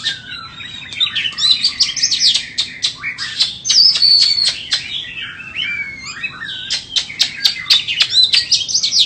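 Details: Energetic white-rumped shama song of fast clicks, high whistled slurs and twittering runs, repeated in dense bursts about four times per second.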